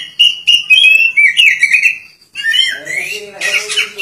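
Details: Oriental magpie-robin singing persistently with its tail spread wide, giving clear whistled notes that slide and warble. A short pause follows, then richer, harsher, more complex phrases.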